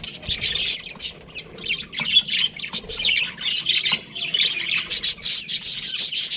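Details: Baby budgerigars chattering in an aviary with harsh, buzzy squawks and thin chirps, overlapping voices in irregular pulses throughout.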